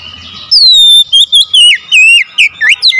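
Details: Oriental magpie-robin song used as training material to get a silent, lazy bird to answer; half a second of faint hiss, then loud clear whistled notes, slurred up and down, in quick varied phrases split by short pauses.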